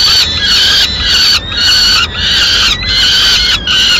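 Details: Peregrine falcon at the nest in Madrid as the female delivers pigeon remains at mid-morning; rhythmic loud harmonic wails, about five in four seconds, each steady then dropping at the end.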